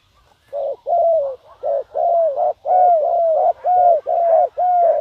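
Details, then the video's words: Caged decoy spotted dove calling to lure wild doves: a steady run of about nine deep, hollow coos, each slightly falling, delivered roughly one per half second with little background noise. "chim cu mồi gáy gọi bổi"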